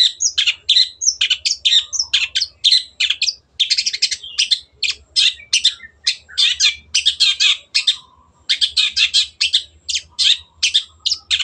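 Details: Sustained gacor song of a cendet (Long-tailed shrike) from a training recording: continuous, varied high chirps, squeaks and buzzes in quick succession for over ten seconds, with a faint low hum.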